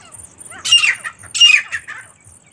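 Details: Call of a female partridge, known locally as teetar: two loud, scratchy squawk bursts about 0.7 seconds apart, each trailing into a softer rasp, over quiet background.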